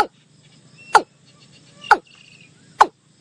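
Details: A watercock call, of the kind used to lure the birds for hunting, gives three loud, abrupt, hollow notes, one about every second, each sharp and ringing, over a faint low hum.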